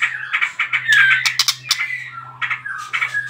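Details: Short burst of white-rumped shama trotol lure song, used to provoke other birds to sing: a clear downslurred whistle, harsh clicks and chattering notes over a constant low hum.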